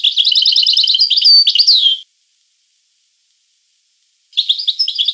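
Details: European goldfinch song: a two-second burst of rapid, tinkling twitters and high trills with a slurred downward note. Silence follows, then another twittering phrase begins near the end.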